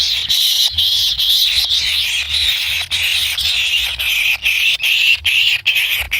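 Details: Kingfisher chicks in the nest, impatient for a parent's delivery of food, making a drawn-out hissing buzz that wavers in pitch and breaks off in short gaps every second or so.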